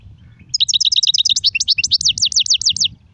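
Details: European goldfinch, song styles Sarfati, Gzrati and Sersir: a dense three-second run of high, quick, liquid twitters and repeated sliding notes over a low background rumble.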